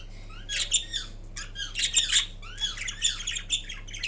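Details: Pet Indian ringneck parrot, kiwi green, chattering sleepily: continuous rough, buzzy notes with falling slurs and occasional sharp squeaks, a low hum underneath.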